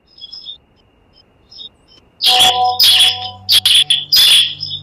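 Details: Song of a bar-winged prinia played as a lure to get birds singing. Faint high chirps lead into loud, irregular bursts of buzzy, rasping notes, with a steady low hum underneath.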